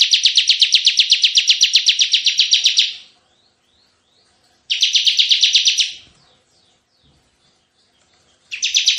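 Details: Full tembakan singing by a lively Bar-winged prinia used as lure and tutor audio: a three-second dense pulsed buzzy trill, a shorter one after a pause, then the start of a third.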